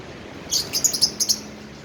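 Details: Tame cockatiel playing with people: a burst of short, high, sharp chirps, about six quick notes packed into under a second, over quiet background hiss.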